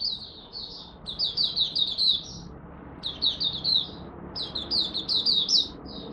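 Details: Malaysian oriental white-eye (mata puteh), a caged songbird, in its morning warm-up: repeated phrases of quick, bright, high-pitched chirps run together, each phrase lasting about a second with short breaks between.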